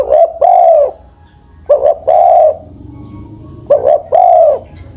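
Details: Spotted dove, an old bird over ten years of age, kept as a ground decoy, giving low hoarse cooing phrases: a short note, then a longer drawn-out coo, repeated about every two seconds in a quiet room.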